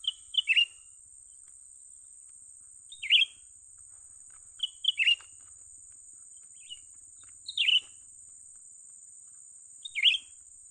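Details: Young bulbul, locally cucak ranting, being lured for trapping: six bursts of quick, chattering chirps at irregular intervals of two to three seconds, with a continuous high-pitched hum behind.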